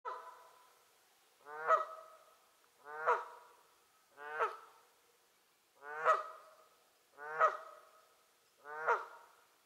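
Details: A Canada goose at Lower Huia Dam, 27 August 2018, gives six loud, nasal honks, each a short rising-falling blare, spaced roughly every one and a half seconds against a quiet background.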